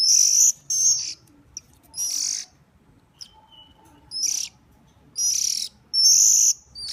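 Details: Hand-fed hungry bird begging, giving loud, very high, shrill chirping bursts about one second apart with quiet gaps between them.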